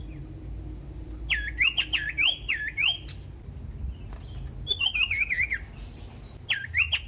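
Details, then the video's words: Common iora song meant to set other ioras singing, in clipped groups of swooping whistles with falling lower notes, then a quick wavering trill and a final short phrase. "pancingan burung sirtu cipoh AMPUH bikin GACOR dan EMOSI"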